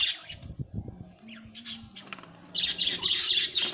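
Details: Pet budgerigars at home; after scattered soft chirps and a few low knocks, the chatter swells into continuous busy twittering for the last second and a half.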